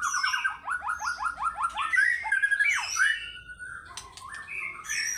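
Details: White-rumped shama singing fighter style: a fast run of repeated falling notes building into rich warbled and swooping phrases, then scratchy high notes, vigorous and continuous.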